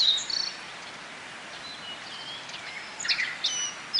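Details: Several Japanese white-eyes gather at bottlebrush flowers to feed on nectar, Kobe Municipal Forest Botanical Garden, Japan, 14 June 2018, during a break in the rainy season. Faint, thin, high chirps and short whistled notes come scattered and irregular, with quiet gaps between them.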